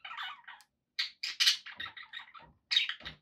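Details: Pet budgerigars chattering in a fast, scratchy run of short warbled notes, squawky bursts and buzzy chirps broken by brief pauses.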